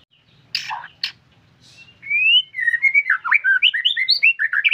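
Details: Vigorous song of a white-rumped shama: a few harsh scratchy notes, then a long upslurred whistle leading into a rapid, lively series of varied looping whistled notes, loud and clear.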